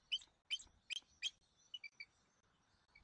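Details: Bald eagle nest in Southwest Florida, with eaglet E23 being fed dinner by F23 and M15 on 13 January 2024, picked up by a nest camera: four sharp, bright chirps about every 0.4 seconds, then softer short notes.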